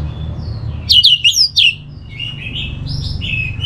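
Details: Orange-headed thrush, used as a lure to prompt singing: a short burst of four quick, sharply falling whistled notes, followed by softer, sliding whistles over a steady low hum.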